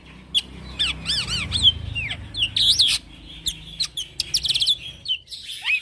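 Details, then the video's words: Young male black-winged myna in ngeroll song: repeated arched whistled notes in quick series, followed by sharp varied chirps and slurred whistles delivered almost without pause over low background hum. "Jalak Pito Jantan Muda Gacor Ngeroll"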